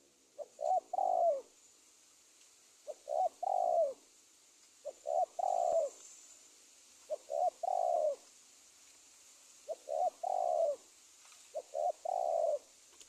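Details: Spotted dove cooing played as a lure to trap wild doves, Indonesia: six evenly spaced phrases, each two or three quick soft notes ending in a drawn-out falling coo, roughly every two seconds over faint hiss.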